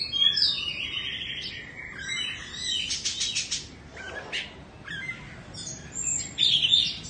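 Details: Caged two-season Indonesian Oriental magpie-robin pours out a long, varied song of high whistles, scratchy rattles and sudden loud bright phrases, pausing briefly between bursts.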